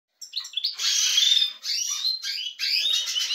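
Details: European goldfinches kept in a canary-breeding setup, livening up; a fast twittering song of buzzy, chattering notes and slurred whistles in three bursts after a short silence.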